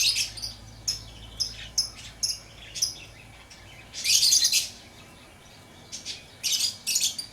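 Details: Lovebird chirps in quick, high, scratchy bursts, repeated irregularly, with a louder, longer squeaky burst midway and another cluster near the end. A faint low hum sits underneath.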